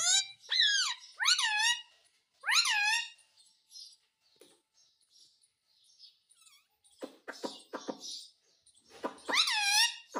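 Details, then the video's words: Talking Indian ringneck parakeet, a pet said to say mummy and mitthu in Hindi, giving three loud, bright, rising-and-falling harmonic calls in quick succession, then a quiet gap, a run of dry clicks, and a final pair of bent calls. "Bolne wala tota - mummy mummy bolta tota - talking parrot - mitthu mitthu"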